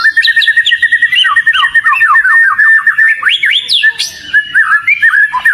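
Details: Vocal kacer (oriental magpie-robin) lure song of rapid repeated chirping whistles at a steady pitch, broken by looping notes and sharp high upslurs midway, delivered in an unbroken chattering run.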